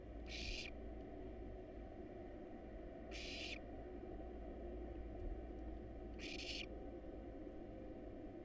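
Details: Barn owl nestlings, wild, begging at a camera-monitored nest box during feeding on rat and rabbit: three short, noisy snoring hisses spaced roughly three seconds apart, with steady low hum beneath.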